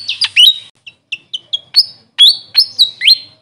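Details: Grey fantail, Maria Capra in local usage, uttering a few squeaky notes, then spaced thin chips and sharp rising whistles that level off, each separated by short gaps.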